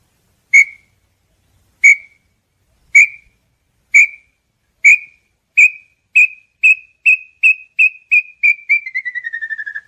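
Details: Small-billed tinamou song: evenly pitched whistled notes, first about a second apart, then quickening into a rapid run that ends in a fast trill falling slightly in pitch. The background is quiet.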